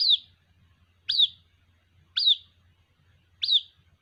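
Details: White-breasted waterhen chick summoning its mother with four thin, high, falling peeps at slightly uneven one-second gaps, faint low background hum.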